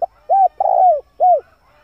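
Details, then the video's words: A male spotted dove, recorded for luring wild birds, gives a single low coo phrase: an arched hoot, a longer burred coo that slides downward, then a final arched hoot. "pancingan suara burung tekukur jantan mp3"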